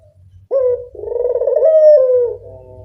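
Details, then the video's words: Local puter dove used as a lure call: a single loud, rolling coo that starts with a short sharp note, then swells into a long vibrating purr, steady and low, with faint low rumble beneath. "Pancingan burung puter lokal"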